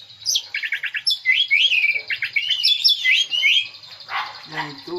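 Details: Lure song of the green leafbird (cucak ijo) meant to draw out a full song: quick repeated chattering notes open into looping whistled slurs and warbles, then lower harsher notes toward the end.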